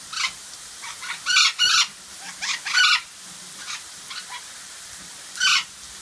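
Golden conures give harsh, grating screeches in short bursts, some in quick pairs, about a dozen over six seconds with brief pauses between.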